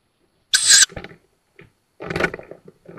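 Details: Tawny owl young, just fledged, at a nest in woodland on the outskirts of Szokolya, Hungary, May 2022; one loud, harsh, hissing burst lasting about a third of a second, followed later by a second softer rasp and faint low rustling.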